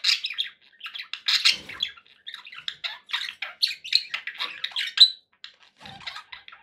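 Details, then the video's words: Happy budgies in chorus: rapid scratchy chirps and squawks tumble over each other in bursts, with a short gap near the fifth second before the chatter resumes more softly. "happy budgie sounds"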